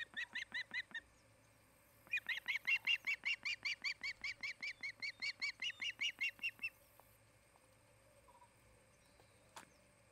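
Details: Osprey at a nest near Charlo, Montana, in August, one of a breeding pair: a brief burst of shrill, whistled chirps, then after a pause a long run of rapid, evenly repeated piercing notes that stops abruptly, followed by quiet.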